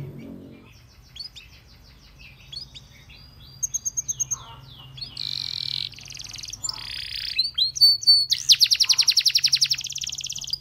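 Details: A Belgian canary's song calls other canaries to sing. It opens quietly with soft notes, then comes a run of clipped repeated pips, buzzy rolls, and a fast, loud, rattling trill toward the end.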